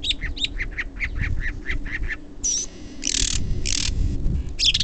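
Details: Bird at the Living Desert in Palm Desert whose many different noises recall a car alarm: about two seconds of rapidly repeated short chirped notes, then a thin whistle and loud hissing bursts of noise.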